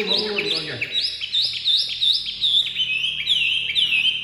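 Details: A newly acquired caged Chinese hwamei, just out of its transport box and not yet used to its owner, sings loud, clear whistled phrases that swoop up and down, about three per second, with a man's voice briefly at the start.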